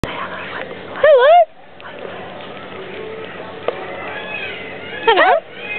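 A cockatoo gives two loud, wavering, warbled calls that rise and fall in pitch, about four seconds apart, over quiet background talking.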